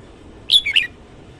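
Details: Short morning phrase from a red-whiskered bulbul: three quick whistled notes, the first highest and the last dropping lower, crisp and cheerful, with near-silent surroundings.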